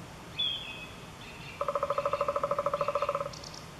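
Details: Eurasian three-toed woodpecker in Chvalčov, Czech Republic, August 2013: a single sharp high note, then a fast, even rattle of about twenty low nasal notes over 1.5 seconds, with faint high chips after.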